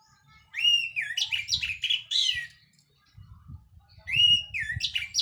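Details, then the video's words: Loud, open song from an Orange-headed thrush, a Cililin local bird out of moult: rich warbling phrases with rising and falling whistles and buzzy notes, two bursts separated by a short pause, over soft low background noise. "KICAU ANIS MERAH PLONG"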